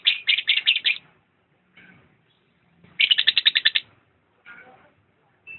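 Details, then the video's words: Lovebird singing in two bursts of rapid, shrill, buzzy chirps, about eight to ten notes each, high-pitched and harsh, separated by a pause with faint softer chatter between. "Video kicau burung Lovebird"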